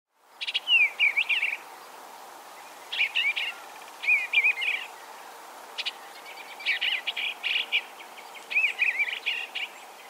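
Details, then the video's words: Eastern bluebird singing at Cedar Haven Farm, Ontario, an actively farmed property of upland forest, swamp and meadows with monitored nest boxes; soft warbled phrases of quick rising and falling notes, about four phrases with short pauses between. "Eastern Bluebird"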